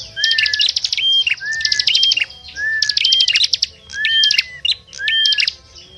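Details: Small birds calling as a trapping lure: phrases recur roughly once a second, each a buzzy, stuttering trill mixed with clean slurred whistles and bright chirps, separated by brief quieter gaps.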